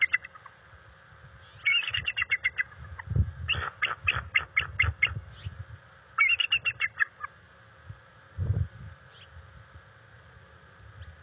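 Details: Bald eagle pair at a nest, filmed by live cam on 21 February 2022 while mating and tracking their territory. Three bursts of rapid, high, piping staccato notes, each a string of about six to eight sharp chirps, with low thumps and rustling between them.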